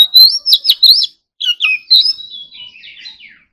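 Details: Morning singing practice by an Oriental magpie-robin in competition style: rich rising and falling whistles, then a brief pause before softer, trailing warbled notes fade away.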